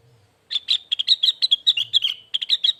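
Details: Lesser green leafbird song used as a soothing tutor and lure recording ('masteran', 'pancingan') for training birds: a rapid run of bright chirped and twittered notes, tightly spaced, after a brief quiet start.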